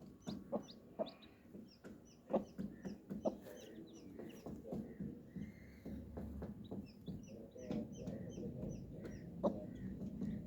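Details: Colourful baby chicks peeping: many short, thin, high peeps scattered quickly through the clip, several overlapping, over a steady low murmur with occasional sharp knocks and taps.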